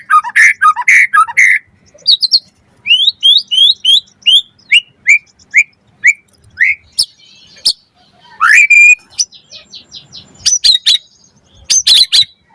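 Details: White-rumped shama singing to draw a reply from other birds, with mixed chattering notes, a run of short rising whistles, then sharp clicks and a loud upward-swept note.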